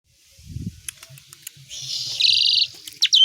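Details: Asian pied starling singing a song filled with imitations of other songbirds: a low rumble early, scattered clicks, then a dense buzzy rattling phrase and sharp high whistled notes near the end.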